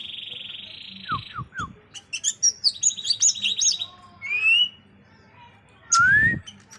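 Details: Greater green leafbird singing: a steady buzzy trill, three quick descending slurs, then a fast run of sharp high chirps and twittering notes, a rising whistle and a final loud upslurred note, over a faint low electrical hum.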